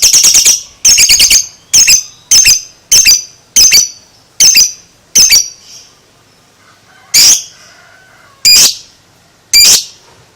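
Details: Lovebird, two months old, in the ngekek style: a series of shrill grating squawks, some doubled, repeated roughly every half second, then three spaced single squawks after a short gap.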